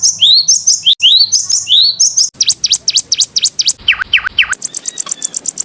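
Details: Canary master song for teaching other birds: repeated rising two-part whistles, then sharp V-shaped notes, a few lower slurs, and a final burst of fast, very high ticking notes.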